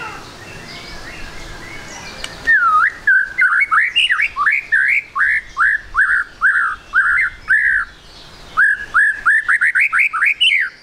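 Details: White-rumped shama song meant as a lure to prompt a bird to sing quickly: a long run of loud, repeated whistled notes, each dipping then rising, delivered about twice per second, pausing briefly, then resuming faster.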